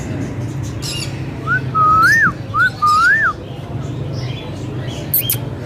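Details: Green Indian ringneck parakeet in a talking session gives two loud, clear whistled phrases about a second apart, each a short upslur then a longer rise and fall, with faint clicks and steady low hum behind.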